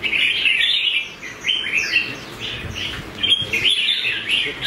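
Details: Red-whiskered bulbul giving competition song used in voice training: rapid run of sweet, chirping notes at high pitch, delivered in dense phrases with a short lull midway, little background noise.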